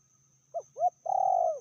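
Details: Single medium-loud call of a spotted dove hen, described as more aggressive than the male: two quick coos then a sustained, gently falling, burry coo.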